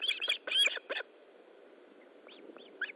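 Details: Osprey at its nest during a fish delivery, 13 July 2012 at 20:15, giving a quick burst of high, whistled chirps over the first second, then softer scattered chirps after a pause, with faint background hiss.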